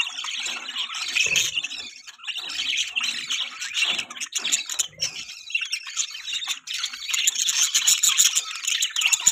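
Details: Budgies chirp during mating in a busy, scratchy warble of rapid squeaks and squawks that grows denser toward the end.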